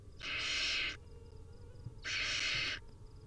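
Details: Wild barn owl nestlings at feeding time on a nest camera give two long, harsh, hissing snores, each close to a second long, with a quiet gap between them.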